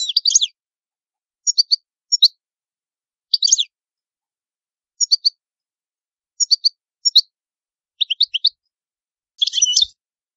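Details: Cardellino, the European goldfinch, giving short separated bursts of two or three sharp high twittering notes at irregular intervals, finishing with a denser buzzy chatter.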